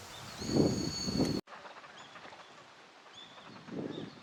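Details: Northern Shoveler giving a few low, hollow, clipped notes, two close together and one later, over outdoor background noise with faint high whistles from other birds; a wintering duck at Junsai-ike park pond, Chiba, Japan, in February.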